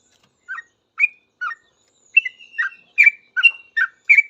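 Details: Sooty-headed bulbul singing in response to other bulbuls; a few spaced chirps build into a faster run of bubbly, slurred whistled notes, no other sounds.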